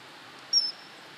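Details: A common kingfisher gives one thin, shrill, high-pitched whistle held for about a fifth of a second, over a steady background hiss; recorded 1 April 2018.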